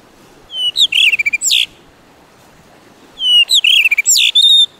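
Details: Blue rock thrush singing on a rocky seashore at Muroto, Kochi Prefecture, Japan: two clear, loud phrases of rich whistled notes, sliding and warbling between mid and high pitch, with short chattering notes between, separated by a pause of about one and a half seconds.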